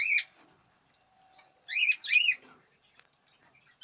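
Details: Breeding-season budgerigars, 2017: wavy, bending chirps, a single one then a close pair, followed by quiet with a soft click and a faint hum.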